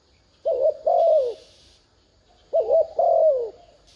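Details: Spotted dove used as a decoy bird to lure wild doves, cooing to stir them. Two low, hollow phrases arrive about two seconds apart, each a short note followed by a longer, falling coo. A faint hiss sounds in the background.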